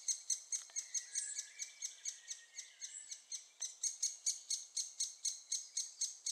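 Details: Great spotted woodpecker nestlings at Staverden, Netherlands, being fed, repeat insistent high squeaky chips around three a second, with a softer lower whistling bird in the background.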